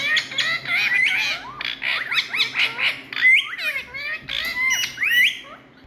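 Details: Noisy Indian ringneck parakeet chattering: dense, rapid strings of chirps and bent, whistled notes, with a few sharp upslurred calls standing out, almost continuous throughout.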